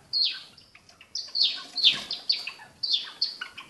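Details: Captive-bred Java sparrow producing a string of high, bell-like chips and soft clicks, each short burst spaced unevenly and repeated several times.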